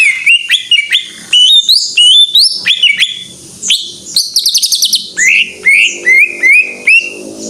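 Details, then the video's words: Greater green leafbird singing in full 'gacor' style: a fast, varied run of sharp whistled slurs, upward sweeps and rapid buzzy trills, with short bright phrases tumbling one after another and no other sounds clear. "Suara Burung Cucak IJO FULL Gacor"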